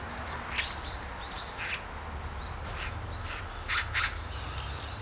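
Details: Great spotted woodpecker at Hanbam Village, Daeyul-ri, Bugye, Gunwi, Korea: scattered piercing kik notes, a close pair near the end, mixed with thin high chirps of other small birds and low background hum.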